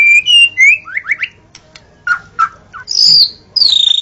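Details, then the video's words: Dawn song of a white-rumped shama used for luring: clear slurred whistles, a quick run of rising notes, sharp chips, then long high whistles and a buzzy trill. "Suara burung murai saat Fajar"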